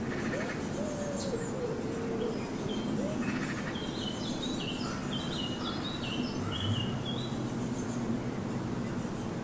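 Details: Birds singing on a sunny morning in a garden in Germany: several short high whistled phrases, thin and fairly faint, some sliding downward, over a steady background hiss.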